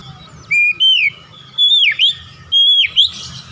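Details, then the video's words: Beautiful song of an Oriental magpie-robin, delivered as loud pure whistles, each a sustained note that bends sharply down then up, given in three spaced phrases about a second apart over a low background hum. "alunan kicauan Kacer yang indah"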